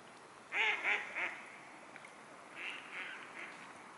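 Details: Mute swans recorded on 9 August 2015 at 20:49: three short, nasal, honking notes close together, then three fainter similar notes, over a steady background hiss.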